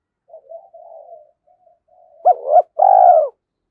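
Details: Spotted dove decoy calling to provoke fighting: soft, low murmuring coos, then a loud double coo and a long, full closing note.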